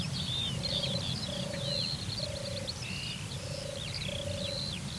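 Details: Courtship purring of a European turtle dove drinking at a watering place, Turianchay Reserve, Azerbaijan: steady low purrs about every 0.7 seconds, nearly continuous, under busy high-pitched twitters and chirps from other birds and a low background hum.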